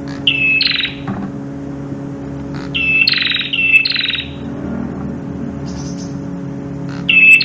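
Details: Red-headed prenjak singing in the style called crystal voice: bright bursts of sharp, high chirping notes delivered in three clustered phrases, over a steady low mechanical hum.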